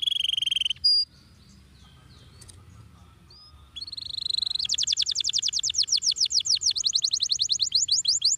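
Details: Rolling 'ngeroll' song of a prolific canary meant for training young canaries: a steady high buzzy note, a short sharp call, a quiet pause with faint chirps, then a quick rising rattle of rapidly repeated high notes.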